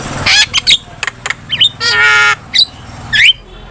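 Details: Starling lure and master sound for training: harsh broad squawks and a long grating rasp mixed with brief whistled slurs and chips, over a noisy background.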